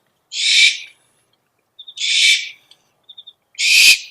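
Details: Three harsh, hissing owl screeches, roughly one every 1.6 seconds, separated by brief clusters of soft chirps. Recorded as a calling lure.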